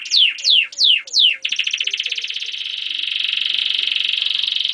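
A German crested canary sings four loud descending sweeps, then breaks into a long, fast, even trill that stays high and steady to the end.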